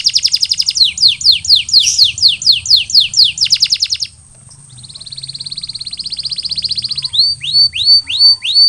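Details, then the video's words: Post-molting canary singing repeated descending swoops, then a softer rapid rolling trill, ending with loud rising-then-falling whistled notes. "Post-Molting Recovery: Get Your Canary Back to Gacor Faster!"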